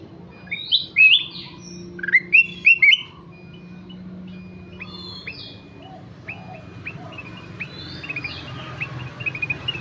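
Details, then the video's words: Kutilang emas (ruby-throated bulbul) singing busily: a burst of loud, clear whistled notes with sharp upward slurs in the first three seconds, then softer, scattered whistled phrases over a low background hum. "Burung kutilang emas gacor"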